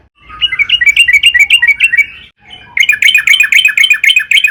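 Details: Yellow-vented bulbul (trucukan) in long, lively 'gacor' song used as a lure to draw other trucukan into singing: two bursts of rapid, bright chirps, about four per second, with a short gap between them.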